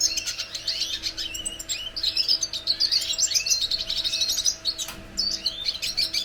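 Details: Singing red siskin: a lively run of twangy, down-slurred chips and buzzy trills repeated in rapid succession, with a short dip around five seconds before resuming; faint low hum beneath.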